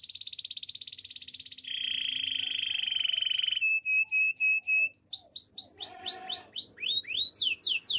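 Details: Domestic Waterslager canary singing a training song: a dense high rattling trill, a lower buzzing roll, a string of clipped whistled pulses, then sweeping upslurred whistles repeated about four per second.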